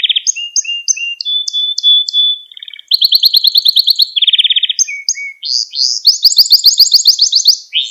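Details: Canary training song used to teach young canaries to sing: varied phrases of rapid repeated notes, trills and rolls at high pitch, switching tours every second or two, with one long pure whistled tone.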